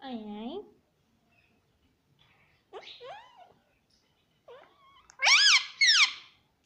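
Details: Pet parrot talking, repeating the word "mummy": several short, harmonic, speech-like syllables with arched and rising tones, separated by pauses, louder and higher near the end; quiet indoor background.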